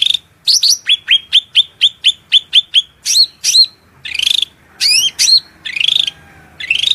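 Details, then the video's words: Cucak rante in a loud shrill masteran song with mimicked murai, cucak ijo, kacer and cendet phrases: about a dozen quick upslurred whistles in a row, then looping whistles alternating with buzzy bursts, faint water behind. "MASTERAN SUARA MELENGKING CUCAK RANTE GACOR FULL isian Materi mewah"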